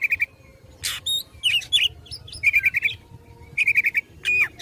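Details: Oriental magpie-robin singing to provoke rivals while fighting: clusters of rapid, rattling high chirps repeated in short trills, mixed with harsh buzzy bursts and thin whistles, in brief energetic phrases.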